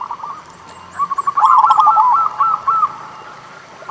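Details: Zebra dove of local stock singing, used as a lure for doves slow to sing: after a quiet start, one brisk phrase of bubbling, rapidly repeated cooing notes rising then steadying, ending abruptly, with a soft background hiss.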